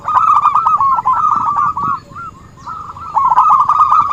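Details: Zebra dove singing, recorded as a trapping lure: two loud bursts of quick, rolling coo notes at one pitch, separated by a soft pause with a single faint note.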